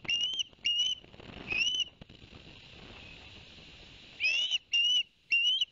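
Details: Barnegat Light ospreys in New Jersey, live cam, 11 September 2021, after the father delivered two fish to the young: three shrill rising whistles, a pause with hissing noise, then three more insistent chirps.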